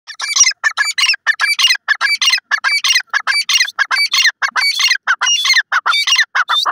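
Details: Francolin, a local teetar bird, calling loudly: harsh, scratchy notes repeated rapidly, roughly 95 per minute, in steady bursts with short gaps, with no other sounds.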